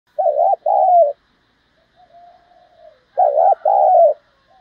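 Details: Spotted dove cooing in the thổ voice style, used to excite decoy birds and train lure birds for trapping: two loud double-note coo phrases about three seconds apart, with soft, low, drawn-out cooing between them.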